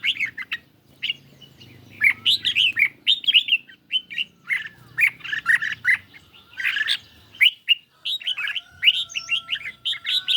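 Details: Red-whiskered bulbul in a cage, singing hard against a phone recording on a lightly sunny day: energetic chattering phrases with some harsher squawky notes, over a background of low hum.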